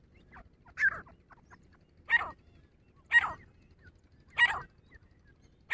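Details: Grey francolin female calling during a fight, known as dhakni teetar: five loud, coarse, rasping notes at uneven intervals of about one second, in a quiet setting.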